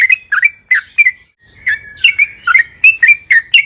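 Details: Vigorous yellow-vented bulbul song used as a lure for kept birds: several bubbly slurred notes, a brief gap, then a livelier run of mixed rising and falling chirps, with a soft low hum behind.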